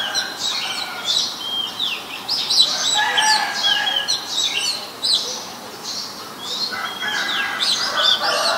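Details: Oriental magpie-robin singing in Ubon Ratchathani, Thailand, 23 December 2019, filmed on a Nikon P1000: a busy stream of sharp high whistles and falling slurs, uneven in rhythm, with some lower warbled notes.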